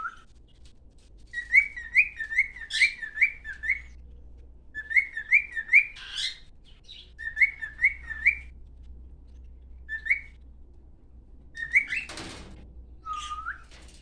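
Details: A male cockatiel sings bright, looping whistles in quick phrases, a sign of a happy bird.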